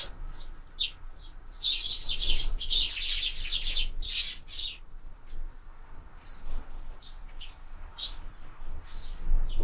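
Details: Sparrows at window-mounted feeders during breakfast feeding, a dense run of rapid high chirps and twitters around two to four seconds, then scattered single chirps, over a steady low hum.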